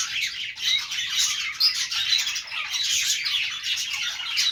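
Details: Budgerigars chirping together: lively scratchy warbling with clear whistled chirps rising above the din around the middle, thick continuous chatter with no pauses.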